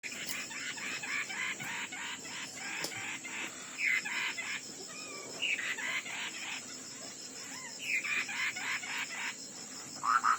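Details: Ground hwamei singing in a song contest: a long run of rapid repeated upper notes, broken by a few sweeping whistles, over a steady high insect-like hum.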